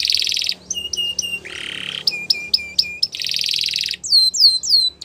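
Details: Belgian canary training song: a buzzy roll, a run of four hooked chirps, a lower rasping trill, repeated sharp notes, another loud buzzy roll and three descending swept whistles.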